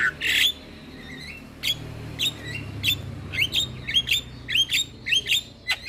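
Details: Javan myna singing as a tutor recording for quiet mynas: a loud harsh opening note, then scattered short whistled and chattering phrases over a low steady hum.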